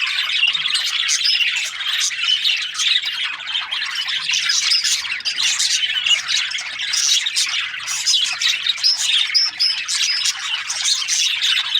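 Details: Australian budgerigars chirping as a crowd, a long unbroken stream of high, scratchy warbles and squeaks from many birds at once, with brief whistled notes now and then.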